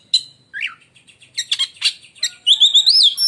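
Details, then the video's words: Oriental magpie-robin kept as an Indonesian contest songbird, pouring out a shrill, lightning-like song of harsh chattering bursts followed by rapid high warbled trills. "si raja gantangan beraksi lagi dg suara menyambar"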